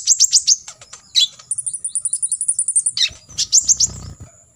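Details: Olive-backed sunbird, kolibri ninja, singing a full 'tembakan isian' song used to tutor other birds: quick high chips, then a long even trill of about fifteen thin notes, and more chips over low rustling.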